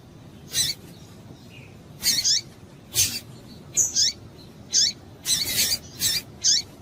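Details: A female double-collared seedeater calling to stimulate males. Around ten high, buzzy chips, often in doublets, repeat at irregular intervals of under a second, growing busier toward the end.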